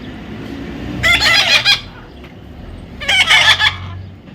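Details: A baby parrot being tamed gives two harsh, grating squawks about two seconds apart, each lasting under a second, over a quiet hiss.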